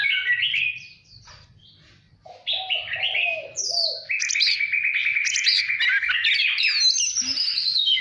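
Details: Oriental magpie-robin song for voice training and provoking contest singing. Opens with descending whistles, a short pause, then lower fluty notes leading into a long rapid trill of repeated notes and rising whistles.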